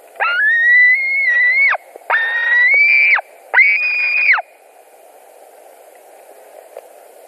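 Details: White-tailed eagles at a nest in Latvia, evening of 17 July 2020, contesting a delivered fish: three quick, strained whistled screams in succession, each rising slightly before snapping down, followed by several seconds of near quiet.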